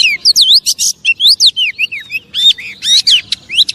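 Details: Oriental magpie-robin song used as a lure to provoke other magpie-robins into agitation; loud, varied whistled and buzzy phrases, rapid sweeping notes and harsh chatters in quick succession, high-pitched throughout.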